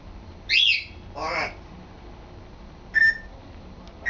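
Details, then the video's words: African grey parrot, male, kept at home and practising words: a sharp arched squawk, a harsher speech-like burst, then a steady flat whistle and the start of another, against quiet room noise. "African Grey Sambuka trying to talk and succeeding!"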